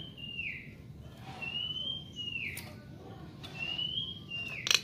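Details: Nias hill myna training song: clear drawn-out whistles, each level then dropping at the end, given three times about every one and a half seconds over a soft low hum, a click at the close.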